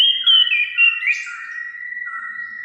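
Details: Orange-headed thrush in song, played to stir pet birds into singing: sustained, smoothly gliding whistles with strong layered tones, wavering up and down, then settling into a long steady note.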